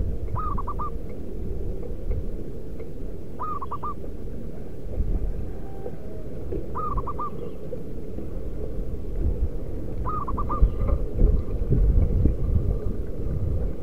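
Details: Zebra dove, local wild bird, used as a lure: four matching phrases of three or four rapid hooting coos, about every three seconds, against a constant low rumble that grows louder toward the end.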